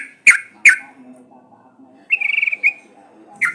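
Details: Sooty-headed bulbul, recorded as a lure to prompt other birds to sing. Two sharp downslurred chips are followed by a brief rapid rattle of pulsed notes and then one more sharp chip, with a faint low hum behind.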